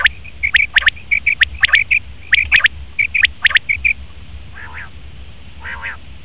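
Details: Male common quail giving quick triple-note bursts with thin, high tonal notes between them, then two lower, nasal, buzzy notes near the end, over a faint low background hum.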